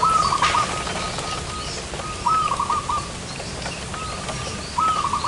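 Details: Zebra dove heard during a trapping session in front of a house, giving four quick trilled cooing phrases, each a brief rolling burst of soft notes, separated by pauses of about a second.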